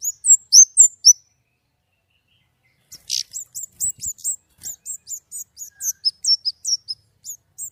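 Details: White-rumped shama singing actively in the loud 'nembak' style with a clear voice: a burst of sharp high whistled notes, a three-second pause, then a quick run of high chirps and whistles.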